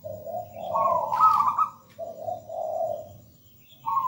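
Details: Zebra dove of local wild stock delivering its sweet, gacor-style song. A long run of pulsed coos climbs then drops, followed after a short break by softer trilled notes and the start of another phrase.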